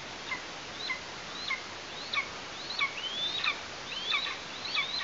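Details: Young Eastern imperial eagle calling from the nest in Tatarstan during a prey delivery, 16 August 2023: soft, rapid series of short high whistles with quick falling tails, about one and a half per second.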